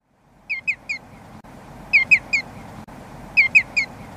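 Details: Common greenshank giving a ringing, whistled three-note call, repeated twice with a short gap, clear over a steady low background hiss.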